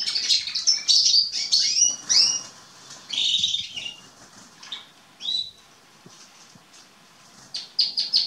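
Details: Young Atlantic canaries and domestic canaries from spring 2020, Remscheid: opening burst of high trills and downslurred whistles, then sparse single chirps and quiet gaps before a final trilled phrase.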